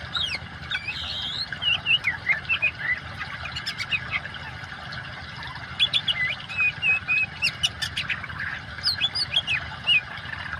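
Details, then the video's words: Oriental magpie-robin singing over a running-water backdrop, a mix meant to coax silent birds into song: bright whistles, clipped chirps and rising-falling slurs in clusters separated by short pauses, against a constant hiss. "kacer gacor kombinasi suara air cocok buat terapi burung macet"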